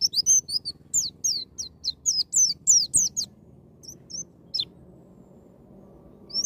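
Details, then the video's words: White-eye delivering "ngalas nembak" wild-style song meant to spur a young bird into singing: a fast run of piercing, downslurred high notes, then scattered single chips and a quieter stretch with faint low background hum. "BURUNG PLECI NGALAS NEMBAK"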